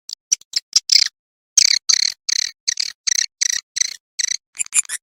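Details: Roosting lure call of edible-nest swiftlets, suara inap, played to attract the birds to roost. Short bursts of high, buzzy twittering chirps come in uneven groups, with brief silent gaps between them.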